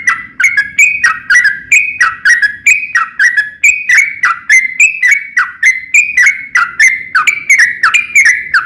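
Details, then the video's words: Yellow-vented bulbul, trucukan, in long rapid chattering song used as a lure to get other bulbuls singing: fast run of sharp, slurred whistled notes, several per second, each dipping then rising, with faint low hum beneath. "KICAU SUARA trucukan gacor ropel panjang pancingan trucukan agar bunyi"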